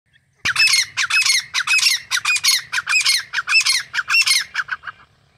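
A grey francolin gives a fast run of harsh, screechy, grating notes, about fourteen in five seconds, loud and steady against a quiet background.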